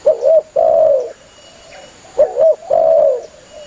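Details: Spotted dove cooing to call its companions, used by hunters to draw birds in: a quick double coo followed by a long, steady coo, the phrase given twice, mellow and low, with soft faint coos between.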